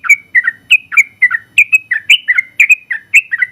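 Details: First-place Yellow-vented Bulbul in continuous 'ropel' song: loud bubbly chirps about four per second, alternating higher and lower slurred notes in a lively unbroken chatter.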